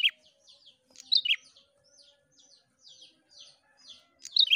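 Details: Lively, continuously singing prinia used to provoke song from other prinias: bright, sharp doubled notes at the start, again near one second and at the end, linked by quieter, rapid, high chirps.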